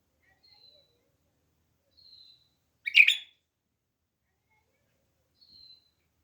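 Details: Pet bulbul kept as a home bird giving a single short, loud, harsh chirp burst near mid-clip, with a few faint thin high whistles before and after in an otherwise quiet room.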